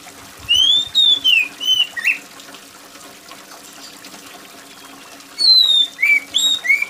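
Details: Oriental magpie-robin singing loudly and shrilly over trickling rainwater: two bursts of clear whistled notes, slurred up and down, each burst three to four notes, separated by a few seconds of only water sound.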